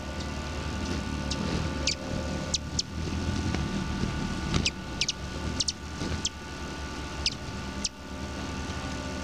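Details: Close-up of a hummingbird at a feeder: its low, steady wing buzz drones throughout, broken by sharp, high chips every second or so.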